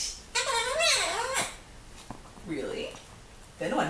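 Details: Indoors, a pet severe macaw watches a visitor at the window. It gives a long, harsh, wavering squawk lasting about a second, followed by softer murmured speech-like sounds in a small room.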